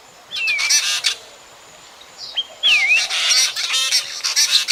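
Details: Drongo calling, a sound used by night bird trappers, from 2024: scratchy, broadband chatter bursts between falling-then-rising whistled slurs, with short pauses between phrases.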